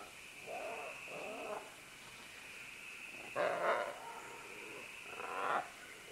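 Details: Green-winged macaws, several together, clambering down vines: rough, grating squawks, two softer ones followed by two louder, broader harsh calls, with a constant high droning hum behind.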